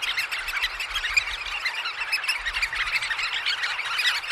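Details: Many Eurasian oystercatchers calling at an early-morning roost at Snettisham, recorded close. A steady, crowded tumble of sharp, squealing piping notes, with faint low rumbles beneath.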